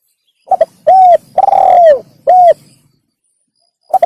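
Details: Spotted dove call played to lure wild doves: a stuttering double note, then a clear hollow coo, a long rough falling coo and a short final coo, with the next phrase beginning after a pause.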